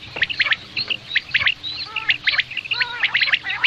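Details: Common quail (batair) calls played for hunting: short, bright, clipped notes in quick repeated clusters, about one per second. Lower arched squawky notes mix in, and several callers seem to overlap throughout.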